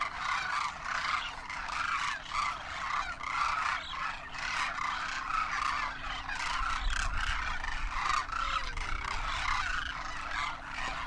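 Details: Wild Demoiselle Cranes, first-year juveniles with adults, wintering in Rajasthan, India, taking off in huge numbers; dense overlapping chorus of rolling, trumpeting calls from many birds, continuous throughout, with a steady low hum beneath.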